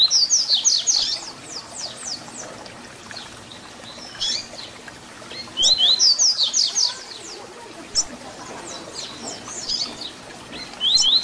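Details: Papa-capim, or double-collared seedeater, giving a fibra song of the 'Tui Tui Zel Zel' type meant for teaching young birds; loud rapid bursts of high, slashing whistled notes recur every few seconds, with softer thin strokes between them.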